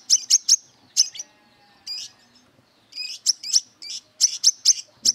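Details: Brown-throated sunbird, aggressive and looking for an opponent, gives clusters of three sharp, high, metallic chips alternating with softer buzzy notes, separated by short silent gaps.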